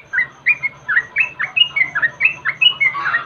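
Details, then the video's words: Yellow-vented bulbul lure sound meant to draw other birds into song: a steady series of short, liquid, slurred chirps, about one each quarter second, bouncing up and down in pitch, with a faint low hum beneath. "SUARA PANCINGAN TRUCUKAN"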